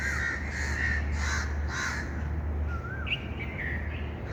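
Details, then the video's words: Bird calling in rapid hoarse caws, about four in the first two seconds, followed by softer broken notes and a short wavering whistle, against a continuous low drone. "birds chirping sound"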